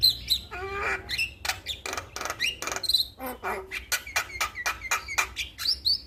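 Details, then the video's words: Song of a male Javan myna, an irregular stream of sharp clicks, raspy bursts and brief high whistled notes, about three or four per second. "Masteran jalak Kebo jantan Suaranya Bikin Burung jalak Anda Langsung Bunyi"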